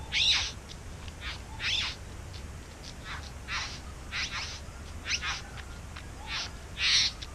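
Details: Bowerbirds singing near their back-yard nest: spaced, grating rasps and short scratchy notes, loudest at the start and end, with quieter ticking sounds between over a low hum.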